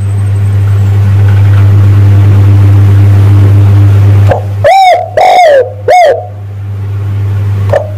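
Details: Spotted dove call used as a lure to attract males. A steady low engine-like hum fills the first half, then three loud, harsh, somewhat distorted coos follow in quick succession.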